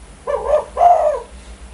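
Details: Spotted dove giving two low cooing notes, the second longer and louder, in quiet surroundings.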